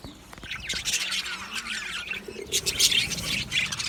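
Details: Male budgerigars recorded on 8 December 2025 chirp in quick, scratchy, high twitters, rising to a louder cluster of squeaks in the last second.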